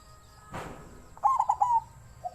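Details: Captive-bred zebra dove giving a wild-type voice: a soft thump, then a quick run of five or six staccato, mid-pitched cooing notes over about half a second, followed by a single faint low coo.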